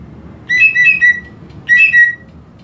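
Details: Greater green leafbird provocation call, played to rouse unaggressive birds: two quick bursts of bright, slurred whistles, each under a second long, over a faint low background rumble.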